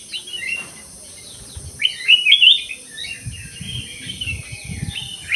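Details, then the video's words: Black-crested bulbul singing in an aviary: a loud cluster of quick, tumbling whistled notes near the middle, with softer warbles before and after, over a steady high hiss and low rumbling. "KUTILANG EMAS GACOR"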